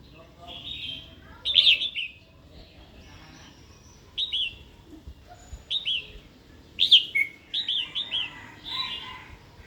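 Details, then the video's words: Female red-whiskered bulbul, used to spur a wild-caught male to sing and fight; bright chirps and falling doubled notes in irregular bursts, some strident, others softer and rapidly repeated. "Chào mào hót tiếng mái kích bổi"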